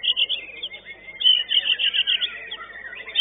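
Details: White-rumped shama singing at a session of a competitive singing contest, young-bird class. Dense, fast, high warbling phrases with bright whistled notes, tightly packed and continuous, some louder accented bursts midway.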